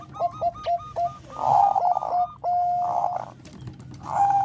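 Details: Melodious Bangkok-type zebra dove song used to raise breeding urge; a fast series of four short coos leads into loud, rough, sustained cooing phrases at one steady mid pitch, ending with a swelling held note.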